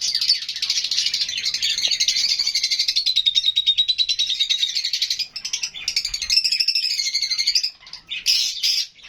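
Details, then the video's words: Lovebirds, including Fischer's, kept alongside budgies, giving a steady stream of high, scratchy chirps and whistles, roughly three per second, with brief pauses and a final burst of squawky chatter. "Love Birds HD Sounds"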